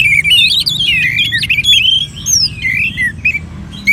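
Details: Orange-headed thrush, a kept bird in northern Bali, singing among colony bird sounds played to coax it into voice: a rapid run of warbled, slurred whistles that rise and fall, with thin high notes laid over them.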